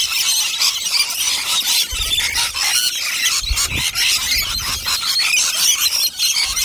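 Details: A large gathering of native rainbow lorikeets feeding on nectar at close range, screeching constantly in a harsh, high, overlapping din of squeals and chattering, with occasional soft low thumps beneath.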